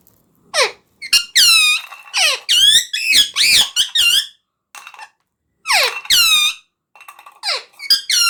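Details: Rapid series of loud, squeaky, wavering calls with rich harmonics from a talking parrot, some sweeping downward, interrupted by two short gaps.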